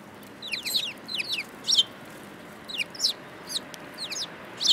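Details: Multiple sparrows, March 2018, chattering in quick bursts of two or three high, down-slurred chirps, repeated several times with brief pauses.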